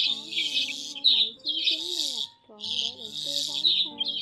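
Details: Lure recording of migratory white-headed starlings for the 2020 trapping season: bursts of scratchy, crowded chatter broken by a short pause, over sliding, bending lower whistles.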